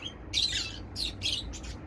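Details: Sweet female cockatiel, a pet, calling to its owner indoors: a few short, bright chirpy calls in quick succession, some squawky and harsh, with a soft room hum underneath.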